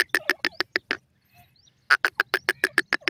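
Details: Female francolin calling to her young. Harsh, buzzy notes repeat about six times a second in two bursts, separated by a brief pause with faint soft chirps.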